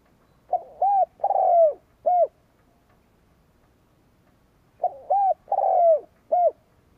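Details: Spotted dove kept as a decoy, cooing to provoke rival doves. Gives its phrase twice, about four seconds apart: two short rounded coos, a longer rough, falling coo, then a clipped final note. Faint background hum between phrases.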